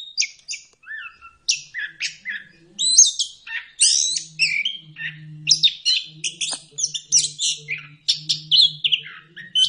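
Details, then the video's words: Orange-headed thrush in full song, used as a lure to get silent birds singing: a fast, unbroken run of varied whistles, warbles and chattering notes, high and clear, over a faint low hum. "Pancingan anis kembang biar ngeplong"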